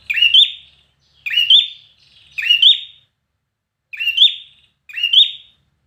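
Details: Trained red-whiskered bulbul in competition song: five clean, emphatic whistled phrases, each a rapid rising and twisting motif, spaced roughly a second apart against a quiet background.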